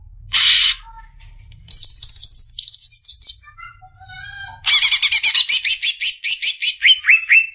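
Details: Greater green leafbird, Indonesia, in lively gacor song: a noisy burst, a rapid descending series of chirps, soft scattered whistles, then loud rhythmic chattering notes ending in repeated down-slurred whistles.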